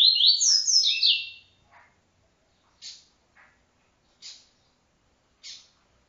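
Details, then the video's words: Encarte song in the TuiTui style from a double-collared seedeater: an intense stepped buzzy phrase with high slurred notes, then scattered short chips and rasps at roughly one-second intervals. "encarte TuiTui"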